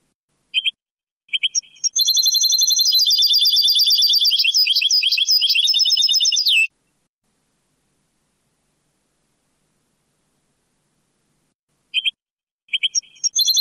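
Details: Moroccan Sebtaoui song of a European goldfinch from an old cassette: a few scattered chirps, then about five seconds of dense, rapid metallic twittering, a long silence, and more short chirps at the end.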